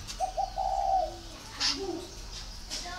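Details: Spotted dove cooing: a short two-note lead-in followed by a longer, slightly wavering coo near the same pitch, then a softer lower coo; faint chirps and background noise.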